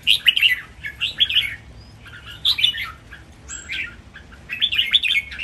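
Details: Red-whiskered bulbuls in cages sing a training master song with doubled phrases: clipped bubbling whistles in groups roughly every second, with brief gaps between.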